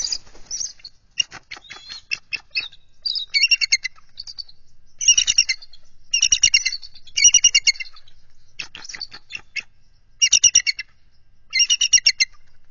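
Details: Bald eagles defending their nest and egg against an intruding mature adult eagle, February 2023; loud, high, squealing chatter in repeated bursts of rapid staccato notes, several bursts in quick succession with short pauses between.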